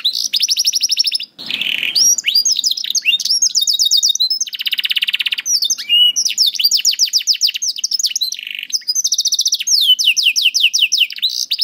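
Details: Canary song played to train young canaries and slow singers to sing, a loud continuous stream of rapid trills, rolling repeated notes and swooping whistles with a brief pause early on.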